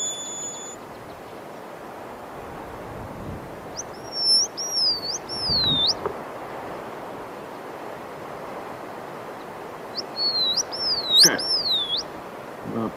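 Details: Short-clawed lark, western dialect from around Polokwane, which is more musical than the eastern one: two phrases of high, sliding whistles rising and falling, about two seconds each and six seconds apart, over faint hiss.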